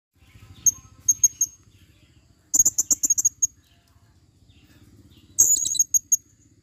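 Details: Female blue-crowned hanging parrot, used as a lure in the forest, gives short, very high, thin squeaky notes in small groups, with a burst of rapid chattering notes midway and a faint low hum beneath.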